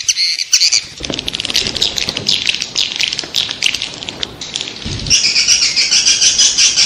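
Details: Swiftlet luring sound: high twittering chatter over a rough background, then a steady run of quick, evenly pulsed chirps in the final seconds.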